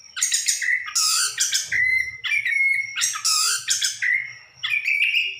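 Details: An orange-headed thrush sings harsh, buzzy bursts that alternate with clear, steady whistles. The pattern repeats in an uneven rhythm over a faint low hum.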